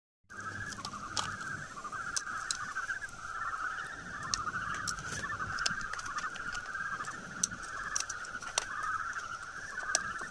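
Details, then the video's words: Houbara bustard chicks give a steady run of high, rising peeps, several a second, over faint background noise and occasional taps. "Houbara Bustard chicks"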